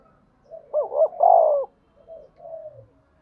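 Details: Spotted dove stirred up to fight and calling: a single low cooing phrase of two quick hooked notes followed by a longer, purring coo, then two softer fading coos.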